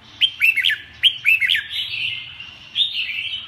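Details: Red-whiskered bulbul singing: short clear whistled phrases with quick rising and falling notes in two bursts, then a longer warbling stretch, with a faint low hum underneath.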